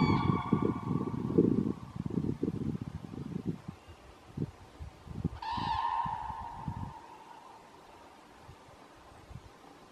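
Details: Pair of common cranes in a forest, loudly calling back at other cranes flying overhead to claim their place, on a calm, clear blue-sky day: brassy trumpeting bursts with harmonics, mixed with close rustling and footsteps.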